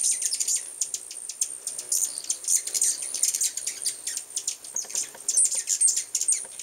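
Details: A crowd of hummingbirds, many visiting at once, fills the air with dense, fast, high-pitched chipping and twittering, some notes clustered in quick runs, with a constant thin high hiss beneath.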